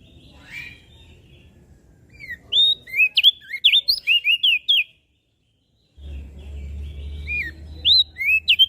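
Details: Mountain leaf warbler, singing vigorously for use in tutoring caged songbirds. A dense run of high, sharply inflected whistles and chips, a silent gap, then a second shorter burst over a low background rumble.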